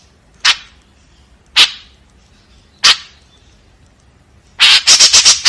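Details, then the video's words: White-breasted woodswallow in 'tembakan kasar' mode. Three single harsh, scratchy notes spaced about a second apart lead into a quick rattling burst of rasps at the end. "SUARA BURUNG KEKEPBABI TEMBAKAN KASAR"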